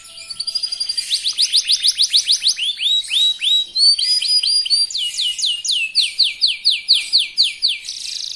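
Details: Lure song from a young local canary, very fast, meant to get competitors singing: a thin trill, then long runs of sharp rising and falling swept notes, several per second, varying in pitch.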